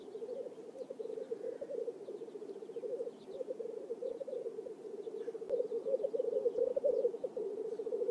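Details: Black grouse males lekking in a swamp in Oulu, Finland, on 5 May 2022 give a continuous low, bubbling, dove-like rookooing chorus that rolls on without pause, with faint higher calls in the background.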